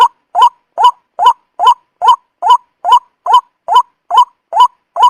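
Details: White-breasted waterhen lure call for trapping, a relentless series of short harsh upslurred notes, roughly two or three per second, evenly spaced and equally loud, with nothing else audible.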